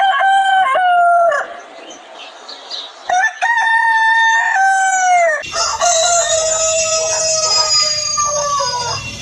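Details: Several rooster types crowing on a chicken farm: overlapping crows, each a stuttered start then a level, harmonic hold that falls at the end, with a higher, thinner crow from another rooster closing the sequence.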